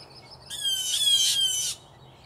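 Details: A single drawn-out, rough screech of over a second from blue jays squabbling over territory, three to five birds in one tree right outside a door; otherwise quiet.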